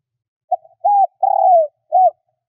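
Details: Decoy spotted dove calling to attract wild doves. A single complete phrase: a soft introductory note, a steady coo, a drawn-out descending coo and a brief final coo, in a quiet setting.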